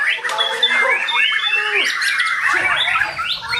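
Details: A white-rumped shama sings loud, rich, continuous song of varied whistled phrases, sliding and falling slurs mixed with buzzy, scratchy notes, with no pause.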